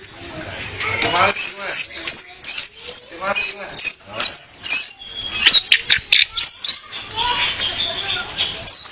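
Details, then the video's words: Female orange-headed thrush singing as a lure for males; loud, sharp high whistled notes repeated in a fast, irregular run with buzzy bursts between them, recorded close up. "Kicau Anis Merah Betina Pemikat Anis Merah Jantan Biar Gacor"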